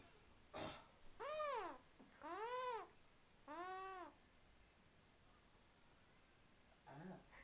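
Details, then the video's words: A male pet eclectus parrot, just after a bath, making cute baby noises: three soft, nasal, arched squawks about a second apart, each rising then falling, with a quieter note at the end. "Parrot making cute noises!"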